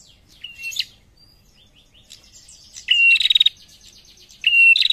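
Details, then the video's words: Female prinia answering males: soft chirps at first, then two loud calls, each a steady high whistle followed by a rapid, stuttering rattle of ticks. "SUARA PRENJAK BETINA GACOR SAUT JANTAN"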